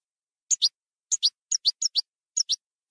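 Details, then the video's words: European goldfinch of the campero type gives short, high, sharp twittering notes, mostly in quick pairs, repeated about every half second against a silent background. "NUEVO CD JILGUERO CAMPERO 2020/2021"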